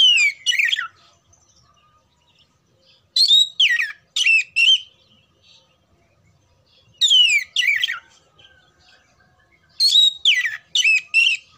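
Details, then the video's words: Oriental magpie-robin (kacer) song, used as sound therapy to ready birds mentally for singing contests: loud bursts of steeply descending whistled notes mixed with harsher buzzy phrases, grouped in pairs and triplets with quiet pauses of about two to three seconds. "TERAPI SUARA KACER KHUSUS BUAT MELATIH MENTAL KACER SIAP LOMBA"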